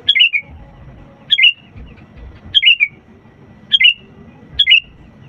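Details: Sooty-headed bulbul in active song, used to trigger reluctant birds to sing: five bubbly, tumbling descending phrases about a second apart, clear and loud over faint low noise.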